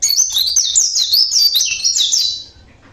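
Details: Oriental white-eye from Java, local type, singing naturally: a continuous rush of high, sweet twittering notes, fast and tumbling, for about two and a half seconds, then quiet.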